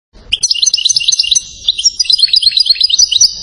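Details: European goldfinch from Settat, Morocco, praised as a king of the salasiyat song style: rapid bright twittering phrases, a fast run of tinkling notes, a brief pause, then a second liquid chattering phrase with buzzy trills.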